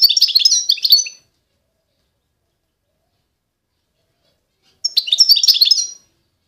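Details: Constantine-type European goldfinch from eastern Algeria singing two short bursts of bright, fast, twittering and tinkling notes, each about a second long, separated by nearly four seconds of silence.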